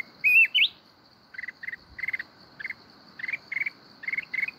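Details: Red-whiskered bulbul from the mountains, kít bổi forest-style song, Binh Thuan. A quick looping whistled phrase opens, followed by clusters of short clipped chirps, with a constant high-pitched insect drone behind.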